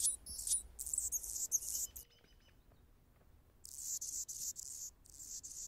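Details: Anna's hummingbird singing on a branch: thin, scratchy, very high song in two bursts of rapid squeaky, buzzy notes with a quiet pause between them.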